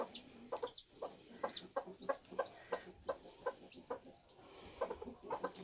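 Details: Homestead bantam chickens during a hatching, with a steady series of short, low clucks repeated roughly every third of a second and faint thin peeps overhead.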